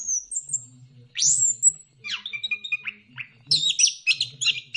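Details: Orange-headed thrush song used as a lure to make birds sing: high thin whistle, a sharp rising sweep, buzzy mid notes, then a burst of fast high chirps, over a faint low hum.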